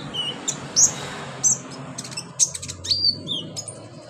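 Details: Sharp isolated chirps and downslurred whistles of an olive-backed sunbird, or konin, spaced irregularly. They are played as therapy to encourage sunbirds to sing in a dense, punchy 'tembakan' style. Background hiss and low noise.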